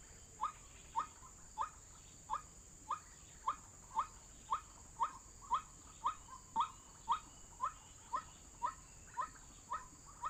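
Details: Trapping lure of a white-breasted waterhen: a long series of brief, upward-slurred "kook" calls, roughly two per second, steady and tireless, with a faint, constant high hiss in the background.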